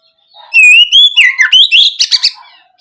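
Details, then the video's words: Oriental magpie-robin (kacer) singing loudly in open 'ngeplong' style to provoke young birds into replying: one rich whistled phrase with a rising glide, a downward swoop, and a fast run of harsh chips. "Pancingan suara Kacer ngeplong gacor untuk merangsang Kacer bahan agar lekas nyaut"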